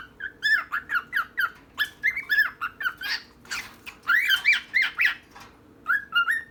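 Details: Pair of pet birds, one female and one male, in a nearly uncut recording; repeated short whistled chirps around the middle pitch range, each rising then dipping, in quick bouts with brief pauses, over a faint steady hum.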